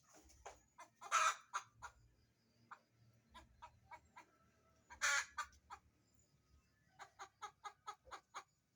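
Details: Hen seeking a laying spot cackles in irregular bursts: scattered dry clucks, two loud, broad, rasping squawks spaced about four seconds apart, and a quicker run of clucks near the end.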